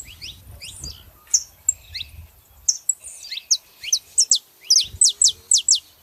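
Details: Pair of saffron finches, female and male, giving scattered high chirps and a flat whistled note, building into a loud series of sharp, evenly repeated downslurred tweets at the close, over low background rumble.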